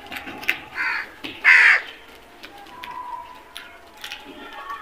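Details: One loud, coarse crow caw stands out, preceded by a softer shorter call, then the scene falls back to a low background hum.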